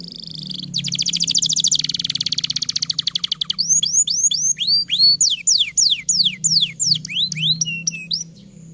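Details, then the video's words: Long canary song, a master recording for stirring silent or young canaries to sing: a fast rattling trill for several seconds, then a lively series of curved whistled notes, each rising and falling, about three per second. "Suara MASTERAN Kenari Gacor Panjang Sangat Efektif Untuk PANCINGAN Kenari Bahan Dan Malas Bunyi"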